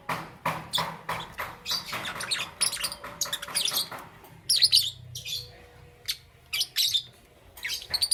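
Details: Lovebirds, Parblue Euwing green opaline and green opaline, chirping in the morning: dense bursts of sharp, high chirps and short squawky notes, irregular and overlapping, with brief quieter gaps and a faint low hum beneath.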